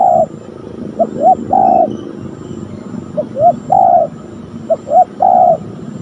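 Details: In the afternoon, near a coconut tree close to home, a Spotted dove (a trainee decoy during lure training, where a wild dove was present) coos a repeated three-part phrase about every two seconds: two short soft notes, then a longer drawn-out coo, over faint rumble.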